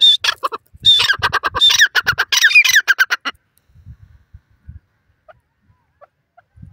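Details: Grey francolin, known locally as teetar, giving a burst of loud grating notes mixed with short high whistles for about three seconds. The burst then stops, leaving near silence with faint low rustles, in Indian open country.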